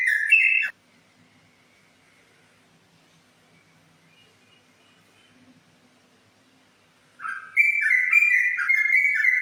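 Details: Yellow-vented bulbul (trucukan) in ropel style: a brief burst of loud whistled notes near the start, several seconds of near silence, then a longer stretch of bright, warbling whistles that rise and fall, ending abruptly.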